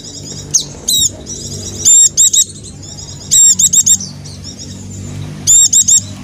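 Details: Song of a dakun white-eye from Java, used to prompt quiet caged birds to sing: very high, metallic notes delivered in rapid triplets and quadruplets, with soft continuous high twittering between the groups.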